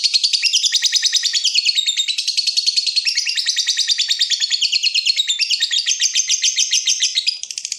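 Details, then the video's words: Lovebird in breeding excitement, calling to provoke a rival, a long ngekek: fast unbroken high chatter of rapid buzzy notes about three per second, wavering in pitch throughout, with no other sounds. "BURUNG LOVEBIRD MENCARI LAWAN || LB MANAPUN PASTI NYAUT BUNYI"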